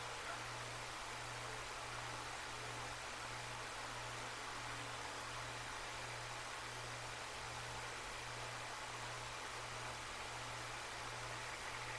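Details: Only a steady broadband hiss with a low electrical hum is heard; no animal calls stand out.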